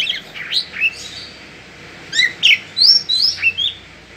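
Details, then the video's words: Kacer, the Oriental magpie-robin, gives short bursts of high whistles and rising-falling chirps, a pause in the middle, then quick sweeping notes resuming. "Suara Asli Kacer"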